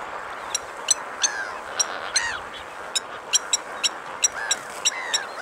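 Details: Blacksmith lapwing striking hard, metallic ticks at an uneven pace, about one a second, against steady background hiss, with a few curved, slurred whistles between them.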